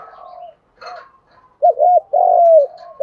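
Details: Spotted dove cooing meant to provoke decoy birds into answering; a soft blurred phrase fades out, then a loud burst of two quick bouncing notes and a long sliding coo, faint quieter cooing around it.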